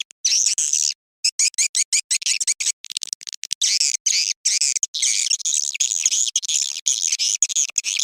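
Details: Swiftlets giving a mating call at dusk, used to lure swiftlets: dense, rapid high twittering chirps in quick bursts with brief gaps, many birds overlapping.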